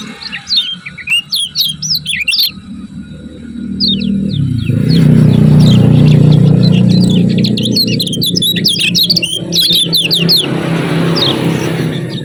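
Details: Lombok kecial kuning in a fast ciak-ciak chirping sequence meant as a tutor and lure: high twittering notes repeated almost four per second, partly masked midway by a loud, low rumbling noise.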